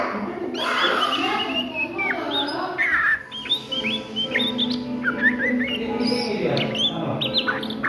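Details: Oriental magpie-robin at midday in ngriwik style: busy jumble of short whistled chips and slurs in a continuous chatter, over a fuller low tonal background.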